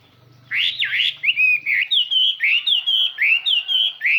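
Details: Chinese hwamei lure bird singing to attract and excite other hwamei; a swooping whistled opening, then clear, ringing notes repeated about three per second, rich and far-carrying, with a faint low hum early on.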